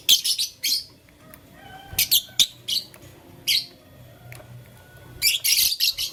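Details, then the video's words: Lovebirds in blue, lutino and green colour forms, playing with a flower, give rapid scratchy high chirps in quick clusters, a busy flurry at the start and another near the end, with brief pauses between. "LoveBird Playing Flower - Chirping Sound"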